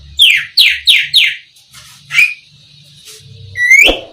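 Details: Oriental magpie-robin, East Java black-breasted form, giving four quick downslurred notes in a row, a pause, then a clear rising whistle and a final upward sweep, in a quiet setting.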